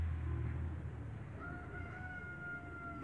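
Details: Two giant light Brahma roosters, father and son, in a backyard; after a low rumbling start, a drawn-out harmonic crow holds steady and falls slightly through the second half, fairly quiet against background noise.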